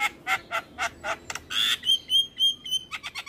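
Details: Male Javan myna singing 'gacor' style while bobbing: a quick string of harsh chattering notes, then a noisy burst leading into a series of thin level whistles and clicks.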